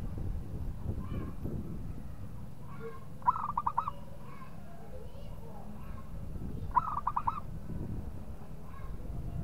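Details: A local zebra dove sings to goad a rival into calling. Two separate bursts of quick staccato coo notes, a few seconds apart, each a rippling trill of five or six beats, over low rumbling background noise.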